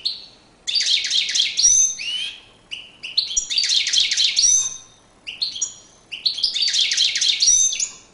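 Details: European goldfinch performing its courtship display, singing three loud phrases of rapid, liquid twittering, each about two seconds long and separated by short pauses with single sharp notes.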